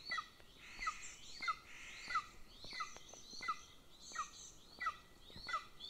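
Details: Younger Golden Eagle chick begging at its nest in Northern Estonia as the female feeds the elder chick with prey such as foxes, birds and hares; clear, piercing down-slurred squeals repeat evenly, nine in six seconds.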